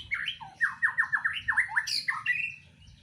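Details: White-rumped shama inside a breeding cage giving a rapid series of loud descending slurred notes, about eight in quick succession, mixed with harsher squawky high notes.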